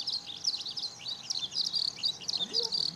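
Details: Sunny 5 June 2013 at Okayama Airport's fourth car park, Japan: skylark song of rapid, high whistled chirps run together without pause, recorded on a Lumix DMC-FZ150, a soft lower sound rising near the end.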